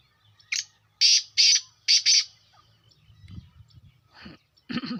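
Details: Black francolin (kala teetar) calling: one short harsh note, then four loud grating, rasping notes in two quick pairs within about two seconds. Low thumps and scraping noises follow, then two more rough bursts.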